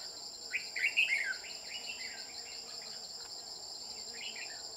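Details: Red-whiskered bulbul used in trapping with a decoy bird, with a bell-like voice: a short burst of bright whistled, warbling phrases around the first second, then fainter notes over a steady high insect drone.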